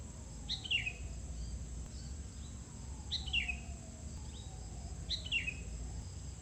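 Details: Sooty-headed bulbul being lured next to a house, giving clear, quick falling chirped phrases repeated roughly every two to three seconds, three in all, with a constant low hum underneath.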